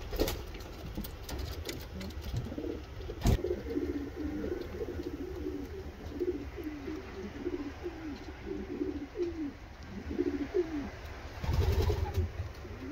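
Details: Racing homer pigeon producing a long series of rolling, low coos repeated roughly every half second, with a loud knock early on and handling noise near the end.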